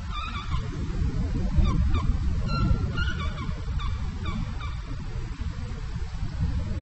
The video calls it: Pallas' Fishing Eagle squeals out its hauntingly beautiful call!